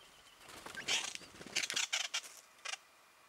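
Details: White-browed woodswallow recorded in Victoria, Australia, in November 2014, giving loud, harsh, scratchy notes in uneven bursts, several grouped close together, then a final short double note.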